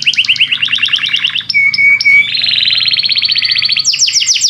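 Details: Belgian canary sings in rapid stuttering trills, a few clear level whistles, then a long rolling tour and high sweeping notes, with a low hum beneath; used to get other canaries singing.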